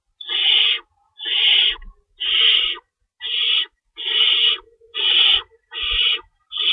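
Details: Pre-dawn feeding time at an owl nest on March 25, 2012, around 3:53 AM, with two rabbits stored and one adult shredding prey; eight steady breathy screeches, roughly one each second, with soft low thumps in between.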